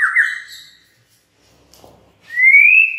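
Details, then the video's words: White-rumped shama singing as a lure for other shamas: a rich trilled whistle that fades out, near silence with a soft click, then a bright whistle rising steadily upward. "murai batu MANA SAJA Bakalan ikutan RAME dan BUKA PARUH dengan pancingan ini"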